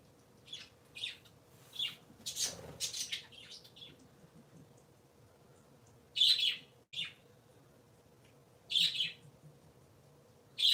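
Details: Three pet parakeets on a Sunday morning giving short, bright chirps in scattered bursts, some in quick pairs or triplets, with quiet pauses between and a faint steady hum underneath.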